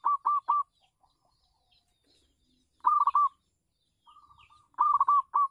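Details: Terrace-kept local zebra dove used to lure others sings repeated short phrases of three to five snappy coos, with a faint soft coo run between bursts.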